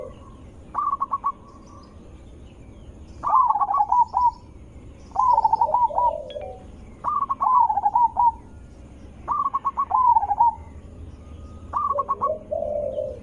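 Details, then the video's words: Zebra dove cooing, used as a lure call to draw other zebra doves into answering: mid-pitched staccato phrases repeat about every two seconds, each opening with quick stuttered notes and ending in a rolling coo, with softer, lower coos between. "Suara Besar Merdu ampuh untuk pancingan burung perkutut"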